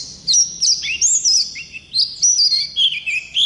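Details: Wild-type Oriental white-eye singing a long rolling song: high, thin whistled phrases sliding up and down, sweet twittering notes in quick bursts separated by brief pauses, clean background.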